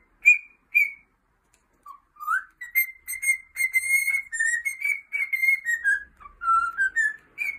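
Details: A pet cockatiel sings a long whistled tune: two separate high notes, a pause, then a rising slur into a rapid chain of bright steady whistles, roughly two per second, dipping and climbing again near the end.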